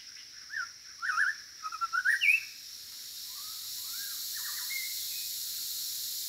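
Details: Melodious white-rumped shama song: a rich burst of quick, varied whistled and warbled notes in the opening two seconds, then softer slurred whistles trailing off, over a steady high background hiss.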